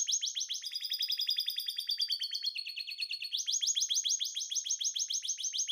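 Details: Canary in breeding condition singing: fast, steady trills of bright, high chirped notes, shifting through several tours at different pitches, some with a sliding descending tone.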